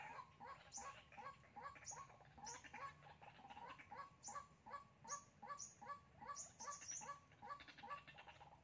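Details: White-breasted waterhen decoy used for trapping in Sóc Trăng, Vietnam, on 2 February 2021. Dense, rapid series of harsh, repeated croaking notes overlapping throughout, about two or three a second, with faint steady hiss behind.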